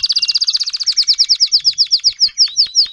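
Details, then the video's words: Timbrado canary, adult tutor teaching young canaries to sing: a rapid high rolling trill that slows into spaced, downward-sweeping notes near the end. "TIMBRADO KANARIEN (gesang)"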